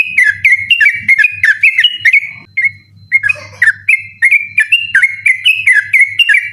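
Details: Persistent nocturnal 'ropel' song of the trucukan, or yellow-vented bulbul, meant for tutoring night contest birds; dense bubbling whistled notes, a short gap with a lower, rougher phrase, then the fast whistled stream resumes over a low hum.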